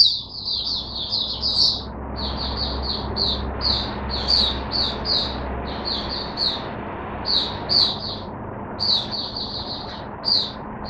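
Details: Caged Oriental white-eye, 5 May 2022: steady series of short, high, chirpy notes in small clusters, repeated through the recording, over a background hiss and a low hum.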